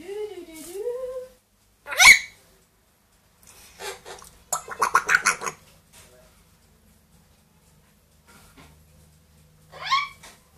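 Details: Two pet parrots indoors, a two-year-old grey parrot and a one-year-old Amazon, producing mixed vocalizations: a gargling wavering call, a sharp harsh squawk, buzzy speech-like bursts and a final rising squeal, with pauses between.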